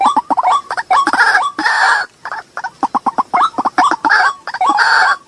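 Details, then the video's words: Waterhen calls used as a lure to attract white-breasted waterhens: dense chatter of clipped, croaking notes that flick upward, mixed with rasping, noisy screeches in a loud, busy sequence. "Suara pikat Burung ruwak-ruwak"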